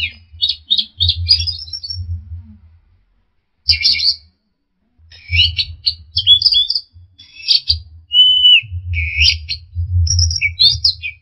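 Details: Orange-headed thrush, lively full song mixing filler phrases and sharp bursts: rapid twittering clusters, a clear steady whistle, and scattered high chips, repeated in bursts over a low humming background.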